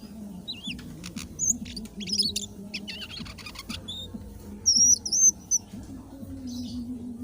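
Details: Indigo flycatcher singing vigorously: a varied run of thin, high, wavering whistles and quick chips. A clear slurred whistle phrase comes near the end, over a steady low hum.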